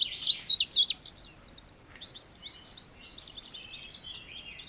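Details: Indigo bunting: a loud second of high, quick slurred notes ending in a thin whistle, followed by faint, distant twittering.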